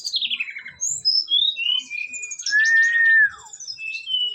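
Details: Brown-chested jungle flycatcher from Bali, kept in a cage, singing during a mental test: a string of descending whistled slurs at varied pitches, then a long, even whistle that falls at its end.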